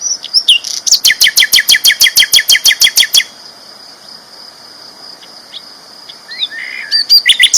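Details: Champion sikatan londo flycatcher singing clearly and strongly as a training model for other birds: a rapid, regular rattle of about twenty sharp clicking chirps over two seconds, then pauses and resumes with scattered high notes over a steady high hum.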